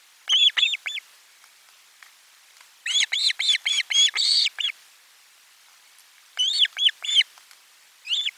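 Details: Osprey at its nest with a lunchtime fish delivery, 12 July 2022, nest camera 4: quick strings of high, ringing chirps, the longest a run of about seven notes, with short silences between bouts.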